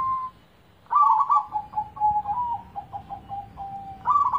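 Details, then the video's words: Zebra dove song played as a lure to prompt a silent dove to start singing: a short opening note, a pause, then a loud rolling coo that breaks into a string of quick, softening beats before a final bright burst. "cocok buat pancingan perkutut gaguk"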